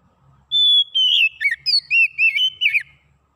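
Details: Oriental magpie-robin singing, played to restart a silent bird's song: one long steady whistled note followed by a lively sequence of curling, rising and falling whistles and clipped chirps.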